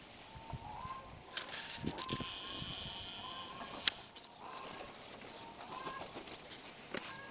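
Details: Young crows, one of this year's many late-fledged offspring gathered near a zoo window, squabbling and quarrelling in a noisy group; harsh, broad rasping calls burst out around the middle of the clip over a steady tonal hum and a sharp click.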